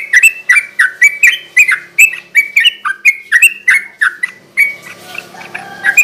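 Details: Sooty-headed bulbul giving a lively 'garuda ropel' lure song for luring birds at night: evenly spaced, bubbly, warbled notes about two a second, turning softer and scratchier near the end.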